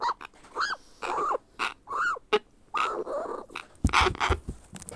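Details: Young grey parrot hatchling begging as it is hand-fed, producing drawn-out rasping whines in arched pulses about once a second, followed by a noisy rustling burst.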